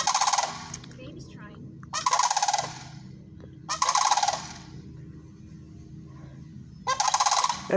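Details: Sandhill cranes calling in loud, rolling, rattling bursts about half a second long, three bursts spaced a few seconds apart with quiet gaps and a low hum between them.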